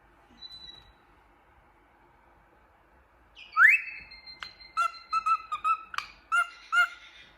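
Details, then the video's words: Happy pet cockatiel whistling and singing while looking in a mirror indoors: after a quiet start, one loud whistle sweeps steeply upward, followed by about seven short, clipped whistled notes at a steady pitch, interspersed with sharp clicks. "Happy Cockatiel looking in the mirror whistling and singing happily"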